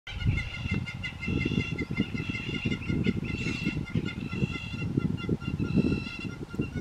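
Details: Two hamerkops taking turns climbing onto each other's back in Mapungubwe, Africa, filmed with a Canon SX60HS. Nasal, yelping notes repeat steadily throughout, partly masked by heavy low rumbling and handling noise.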